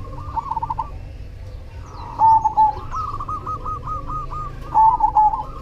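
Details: Cemani zebra dove in full song: two loud bursts of quick stuttered coos, with a steady train of softer rolling coo notes from another dove running through most of the recording over a low hum.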